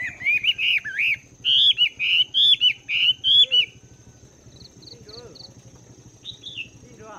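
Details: A caged Chinese hwamei, wild-caught and two months in captivity, sings in the morning to train its voice: strong, looping whistled notes repeated about once a second, fading into softer, sparse phrases.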